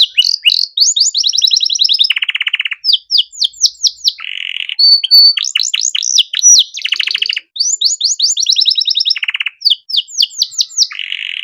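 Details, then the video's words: Canary master song for training young songbirds: continuous loud warbling with rapid trills, falling whistles and deep buzzy rattles, the sequence of phrases repeating roughly every five seconds. "Masteran Kenari Gacor Cengkok Mewah Mudah Masuk untuk Burung Bahan"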